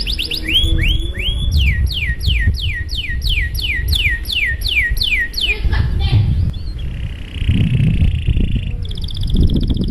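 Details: Canary song of the long, fancy kind used to make other canaries join in: a run of repeated downward-swooping whistles, then a low buzzy trill and a faint high rattle, with background rumble.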